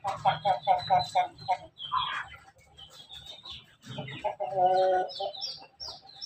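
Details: Crossbred Pelung-Bangkok chickens from a Jogja breeding farm: a rapid series of five pulsed notes, then scattered chirps and a strong harmonic crow-like call near the end, with other birds chirping high overhead.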